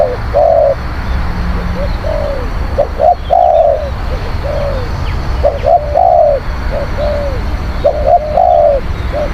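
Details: Spotted dove coos, played to lure wild doves: low, mellow phrases that pair a short clipped note with a longer down-slurred coo, repeated at irregular intervals over a steady low rumble.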